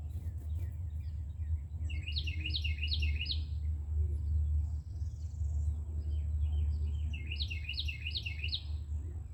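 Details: Carolina wren with a nest on an outdoor shelf sings two loud rolling songs, each of four or five rapid repeated whistled phrases, several seconds apart, with constant low-pitched background hum.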